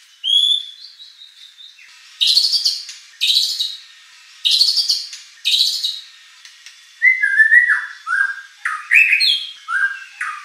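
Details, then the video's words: White-rumped shama song meant to trigger a rival competition bird: a high whistle, then harsh buzzy bursts spaced about a second apart, ending in clear downslurred whistled notes in quick succession. "shama bird beautiful song performance"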